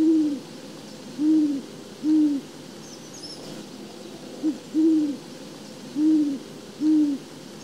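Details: A Great Horned Owl gives its classic low hooting: about seven deep, soft, muffled hoots in an uneven rhythm, with a faint high squeak midway.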